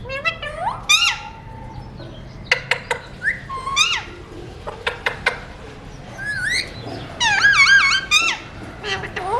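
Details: Pet Alexandrine parakeet, a colour mutation, talking nonstop: a fast series of harmonic, nasal syllables with swooping rising and falling tones and sharp clipped notes, bunched into bursts, ending in a strained, wavering phrase over a quiet indoor background.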